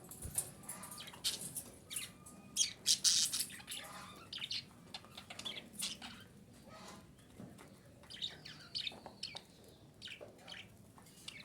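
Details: Female budgerigar calling, used to stimulate breeding in budgerigars: rapid, irregular bursts of harsh, scratchy chirps and short chatter notes, loudest around the middle, with quieter twittering toward the end.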